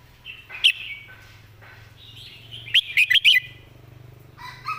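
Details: Red-whiskered bulbul kept as a song-teacher bird, praised for clear phrasing and good song style: a loud, quick burst of four bubbly warbled notes near the three-second mark, earlier softer phrases, fainter birds singing behind.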